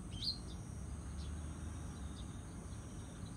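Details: Barn swallow nestlings in their nest, five hatched on 3 June 2018, filmed by smartphone around 8 a.m. on 22 June 2018; one bright high chirp near the start, then a few faint thin chirps over a steady low rumble.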